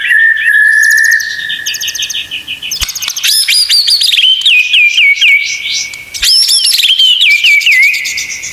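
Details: White-rumped shama tutoring song with tembakan (shooting) fills: long steady whistles near the start, then loud bursts of sharp rising notes followed by quick descending slurred whistles in repeated phrases.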